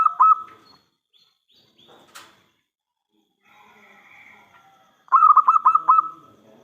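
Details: Local zebra dove lure song meant to draw replies from other perkutut: the tail of one coo, a sharp click and faint rustling, then a fresh phrase of five quick rolling notes.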